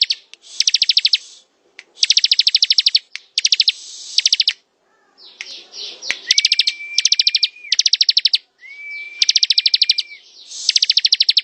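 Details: Ngebren song of a bar-winged prinia (ciblek): repeated bursts of quick, buzzy pulsed notes with short gaps, a soft scratchy passage midway, then two phrases each carrying a level whistled tone beneath the pulses.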